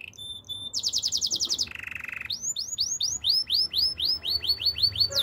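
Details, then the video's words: Canary song opening with a high thin tone, then a rapid buzzy trill, a lower flat rolling tour, and finally a run of clear swept whistles repeated steadily about three per second. "Master canary singing make your canary will sing everytime"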